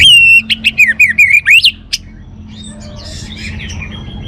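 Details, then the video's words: Orange-headed thrush pouring out a fast series of about ten loud, slurred whistles in under two seconds, followed by soft distant twittering over a steady low hum. "suara burung Anis Merah"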